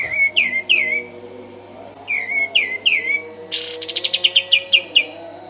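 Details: Kapas tembak song used as training audio for songbirds: loud clear whistled notes that sweep down in quick pairs, then a long, fast, even roll of sharp repeated notes, with a faint low hum beneath.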